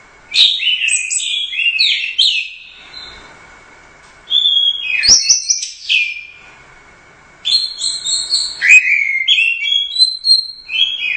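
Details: Orange-headed thrush, first-place winner at the Royal Cup competition, singing actively in the teler doyong style: bursts of rich, varied whistled and warbled phrases swooping high and low, split by two pauses of about two seconds, with a faint steady tone between phrases.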